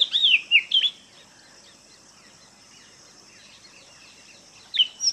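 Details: Oriental magpie-robin, locally called mannathippullu, giving a short run of bright whistled notes, loud at the start, then a long near-silent gap before a brief second phrase of rising whistles at the end.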